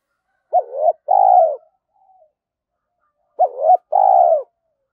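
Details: Spotted dove coo played to train young captive doves to answer: two phrases nearly three seconds apart, each a looping two-part note leading into a sustained, slightly falling coo, in a quiet setting.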